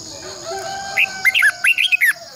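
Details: Red-whiskered bulbul morning song, a long twisted double-voice style used as a decoy to train caged birds: after a quiet start, a quick run of bright, warbled, rising and falling notes, with a steady high electrical tone behind.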